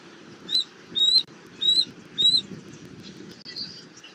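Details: At a Southwest Florida nest tree, a bald eagle family meets on 19 April 2024 in late afternoon, caught on a nest cam; four short, high piping notes come about every half second, then fade into a low background hum.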